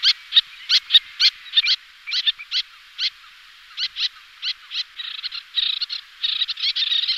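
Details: Little tern, two pairs calling while displaying in flight: sharp, high, clipped notes in an uneven series, about one per second, sometimes doubled, with a denser run of overlapping calls near the end.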